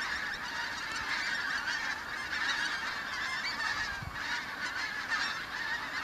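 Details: Arriving flock of migrant pink-footed geese over the Kelvin Valley, North Glasgow, in late September 2021; loud continuous clamour of overlapping honks and squeaky yelps, swelling and easing in waves.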